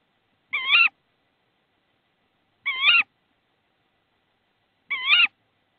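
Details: Estonia, 22 March 2016: a tawny owl at the nest during a frog prey delivery. Three evenly spaced, quavering, nasal calls about two seconds apart, each under half a second, in quiet surroundings.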